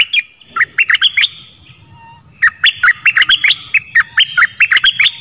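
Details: Song of the Dok Taeng bird, played to train young birds and excite them; two bursts of quick sharp chirps separated by a silent gap of over a second, with a low rumbling hum beneath.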